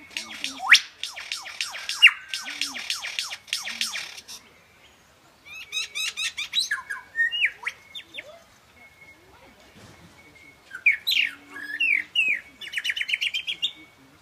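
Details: Superb lyrebird performing its mating dance song at Healesville Sanctuary, Victoria: fast rattling series of harsh clicking notes, a pause, then varied sweeping whistles and chirps, ending with another rapid rattling burst.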